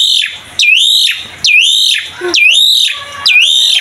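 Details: Asian pied starling singing in the energetic mompa style, used as a lure for young starlings: four loud swooping whistles that drop then climb into a drawn-out buzzy tone, about one per second, with brief soft notes between.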